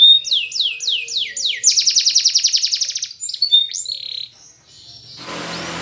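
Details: A Spanish Timbrado canary sings for training, opening with five swooping downslurred notes, then a fast pulsing trill and a few high whistled slides. The song gives way to a burst of broadband noise.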